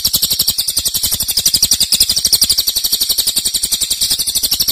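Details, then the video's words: Cililin, singing loudly in a long, rapid burst used as a training recording for other songbirds. The bird gives a dense, high, metallic trill of very fast repeated notes that runs without a break. "Cililin nembak keras dan Rafat durasi fanjang"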